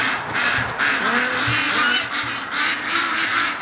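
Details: A flock of domestic ducks on a winter morning, 5 December, quacks nonstop with harsh, nasal, overlapping calls in a steady chatter. No other clear sounds stand out.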